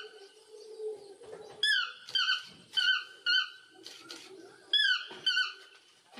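A toucan gives squeaky, yelping notes that slur downward, in short bursts about twice a second with brief pauses between.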